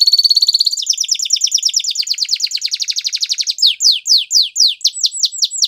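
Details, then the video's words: Belgian canary song opening with a rapid high trill, shifting into a denser rolling trill and ending in slower, separate downslurred whistles repeated about twice a second. "Belgian Canary Song"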